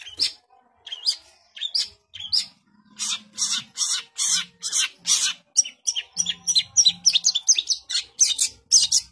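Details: Long-tailed shrike in full song: a few whistled chirps, then a long series of loud harsh broadband bursts, quickening into rapid scratchy notes toward the end.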